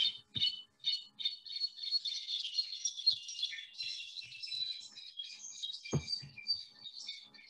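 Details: A Brown-backed Solitaire in the Guatemalan highlands in November, common and calling often but hard to see, pours out a long, high, tumbling song of metallic, bell-like notes, rising and falling without pause. A couple of soft thumps are heard.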